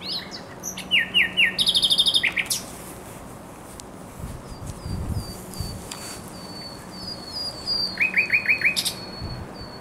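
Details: Thrush nightingale singing on the Żerański Canal in spring, 24 April 2022: bursts of rapid clicking, repeated notes and short trills, with loud phrases near the start and end. A quieter series of thin, even whistles fills the middle.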